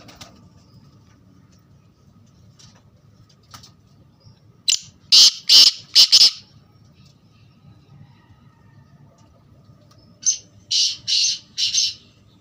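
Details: Two harsh, grating phrases from a black francolin, each of four or five raspy notes, about five seconds apart, the first louder, with a few scattered faint chirps before it.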